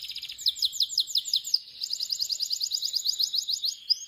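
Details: Canary in Pakistan delivering a high sweet song of rapid repeated slurred notes, a descending series followed after a short gap by a long fast even trill, ending on a brief upward note.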